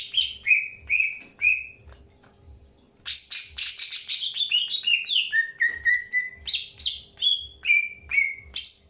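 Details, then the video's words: Greater green leafbird in early pairing, uttering repeated whistled notes, three alike at first, then after a pause a long lively run of descending and rising chirps, roughly two per second, with a low hum in the background. "PROSES PENJODOHAN AWAL BURUNG CUCAK HIJAU"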